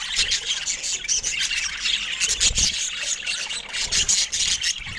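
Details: Several pet budgerigars keep up dense, high-pitched warbling chatter, harsh and squawky, with rapid overlapping notes and one low thud around halfway.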